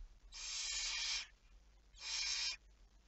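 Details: Barn owl at night on 11 May 2019, 23:34, uttering two long, steady, rasping hisses, each nearly a second long, separated by a short silence.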